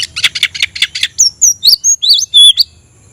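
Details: Oriental magpie-robin seeking a rival: about eight quick, harsh notes, then a string of clear, very high whistles. The whistles rise, dip and waver before stopping.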